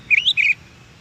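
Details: Wild Oriental magpie-robin (kacer) recorded in nature, used to make caged birds respond; a brief pair of clear whistled notes, the first rising then falling, the second a flatter trill, with near silence after.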